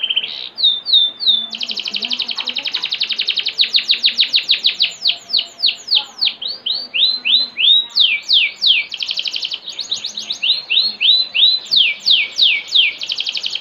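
A canary sings a long, unbroken run of bright, rapid trills and sweeping whistled notes.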